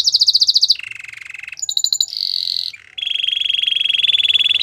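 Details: Canary giving Belgian canary song in changing tours: a rapid high trill, a lower soft buzz, a short pulsed burst, then a steady, long rattling roll at mid pitch.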